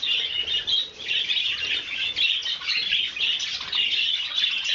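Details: Budgerigars at breakfast on 30 January 2011 keep up steady overlapping warbles and scratchy chirps, the chatter swelling and easing without pause.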